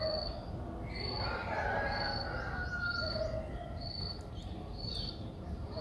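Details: Six-day-old Streak-eared Bulbul nestling in Ubon Ratchathani, Thailand, 8 April 2023, repeating high thin piping notes among lower warbled sounds over a noisy low rumble.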